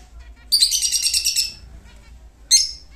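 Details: A pet lutino lovebird in Muzaffarpur, Bihar, singing: a second-long burst of shrill, buzzy chattering, then a brief harsh squeak, against a faint low hum.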